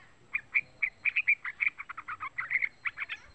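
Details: Young yellow-vented bulbul calling as a lure to rouse other bulbuls to sing: quick bursts of short, bright chirped notes in uneven clusters, lively and continuous over a quiet background.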